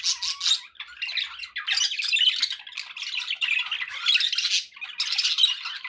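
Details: Pet budgies produce a lively scratchy chatter, short squawks and chirps in uneven bursts separated by a few quick pauses.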